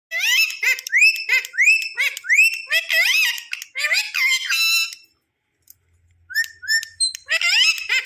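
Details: Tame pet Indian ringneck parakeet making loud noise because it wants its owner to come and sit with it. Harsh, rising screeches come in rapid bursts about once per second, then a brief pause before more screeches. Indoors.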